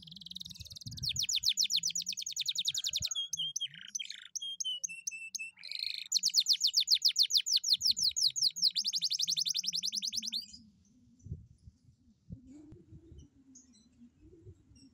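A canary sings about ten seconds of high, rapid rolled trills broken by sharp chirps and whistled notes. Faint low room noise follows.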